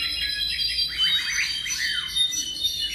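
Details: Tropical mockingbird about seven months old singing a run of quick, slurred downward notes in mid-high pitch, over a steady background of thin, high, sustained tones.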